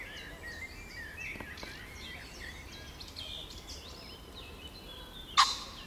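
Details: Agitated common pheasant (Phasianus colchicus) in bushes, 29 June 2020, gives one short, harsh, loud alarm crow near the end after seconds of quiet with faint distant birdsong.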